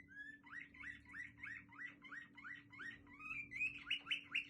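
A Waterslager canary sings a fast run of rolling, liquid notes, about four a second, that swoop up and rise slightly in pitch. A steady low hum plays underneath.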